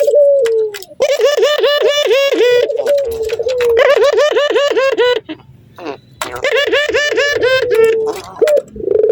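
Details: Male Barbary dove in breeding condition with a female in view gives its laughing call: bursts of rapid, bouncing, throaty notes, about ten in a row, between long descending coos.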